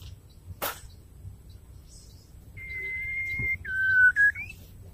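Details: White-rumped shama female calling the male: a sharp click, then a sustained level whistle, a lower whistled note and a brief rising upslurred whistle at the end.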